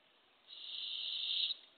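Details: Barred owl at a nest box, early morning, April 27, 2024, while a female delivers a baby opossum to hungry owlets. One rough, steady hiss lasting about a second, with quiet before it.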